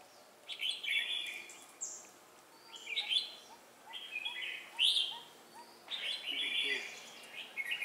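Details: Red-whiskered Bulbul singing during bird trapping in Vietnam on 4 December 2016: short, bright, warbled phrases about once a second with pauses between, over a steady background hiss.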